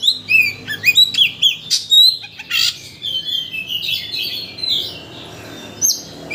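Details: Oriental magpie-robin song used as a lure to excite another magpie-robin into singing its full mimicked repertoire: rapid, varied whistled and chirping phrases with sharp downslurred notes, then softer warbling after two seconds.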